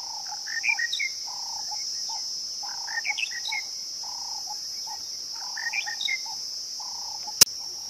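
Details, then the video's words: A lark in southern Africa calling: short chirpy phrases of quick rising and falling notes in three bursts, with lower buzzy notes between, over a steady high insect drone and a sharp click near the end. "10 lark calls from Southern Africa"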